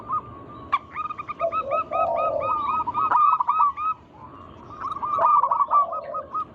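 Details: Local zebra doves in lively song, used to draw other doves into singing: quick series of crisp hooked coos over a low purring roll, a pause, then another burst with a second low trill.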